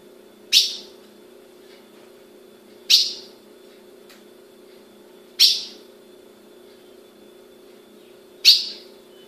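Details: Brazilian captive-bred ultramarine grosbeak female repeating a single sharp, high chip four times at intervals of roughly two and a half to three seconds, with a constant low hum behind.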